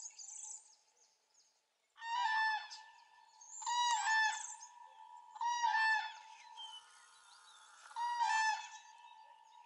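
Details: Dawn chorus of cranes, recorded 3 April 2016: loud bugling bursts come about every two seconds after a short quiet start. Each burst is a rich, ringing trumpet call over a steady lower drone of more distant birds.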